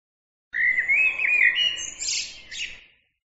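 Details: One bird phrase lasting about two and a half seconds: a run of fluty warbling notes, followed by a burst of very high, buzzy chatter that fades out.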